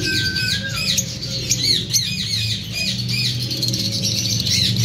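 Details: Breeding pair of lovebirds singing and chirping, a dense run of rapid high squeaky twitters and chirps, with a low background rumble.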